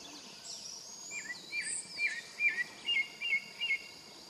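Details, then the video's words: Pale-breasted thrush singing: a rising series of short, clear whistled notes, repeated about every half second and growing louder, over a steady high insect hum. "Sabiá-barranco cantando"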